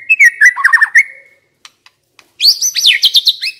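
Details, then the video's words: Decoy White-rumped shama sings a warbled whistled phrase, falls silent except for a few faint clicks, then bursts into a higher, rapid, twisting run of bright notes. "Chòe lửa mồi hót cực hay"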